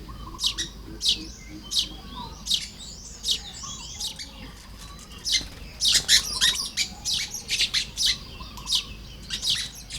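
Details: Morning nest building by a Baya weaver in Lopburi, Thailand, 1 May 2026. High chips start steady, then quicken into a dense chattering burst before spacing out again.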